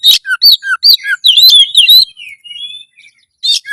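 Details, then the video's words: Oriental magpie-robin (kacer) singing loudly to boost breeding urge and fight mode: quick dipping whistles repeated about every half second, then a warbled run, soft fading notes and a final sharp burst. "masteran kacer gacor suara lantang menaikan birahi burung kacet ON tarung"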